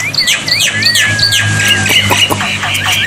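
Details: Black-winged myna tutor song, played so that birds which have stopped singing will answer. It carries loud varied whistles, slurred rising and falling notes and harsh squawks over a steady low hum.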